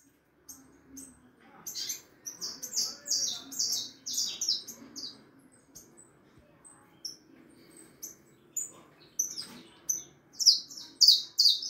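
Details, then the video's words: Harlequin saffron finch youngster aged four and a half months singing a lot: bursts of high, sharp downslurred chirps in uneven runs, softer in the middle stretch and then louder, quickening notes at the end. "canario da terra filhote arlequin cantando muito 4 meses e meio de vida canario ancestral"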